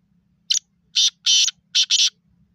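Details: Black francolin calling: a short harsh note followed by four loud, grating, buzzy bursts in quick succession, the last two nearly run together, over a quiet background.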